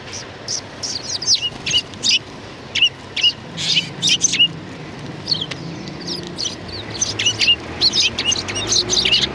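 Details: Sparrows outside a cultural hall on 7 February 2020, gathered as a welcoming flock. Repeated high chirps sound every fraction of a second in uneven bunches throughout, over a soft low background rumble.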